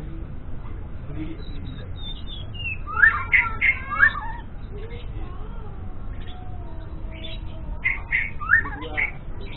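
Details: A young white-rumped shama learning to sing in the morning tries out loose, rambling whistled phrases, rising and falling in two bursts several seconds apart, over a steady low hum.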